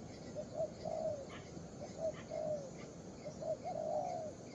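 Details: A young spotted dove coos steadily: short notes lead into drawn-out, slightly falling phrases, repeated three times. Faint higher chirps from other birds sound over a noisy outdoor background.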